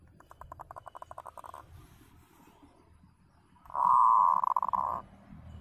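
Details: Local zebra dove voice meant as a lure for trapping wild doves: a staccato series of soft rapid coos, a pause, then a strong rolling buzzy trill of about one second, with faint low background noise.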